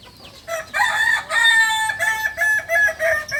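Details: Balenggek rooster, a native chicken of Solok, West Sumatra, described as a beginner bird, crowing in a long multi-syllable sequence of stepped, harmonic-rich notes with short breaks between segments.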